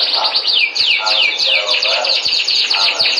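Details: Melodious canary song of swooping whistled notes looped in quick succession, high and bright, interleaved with soft ticks.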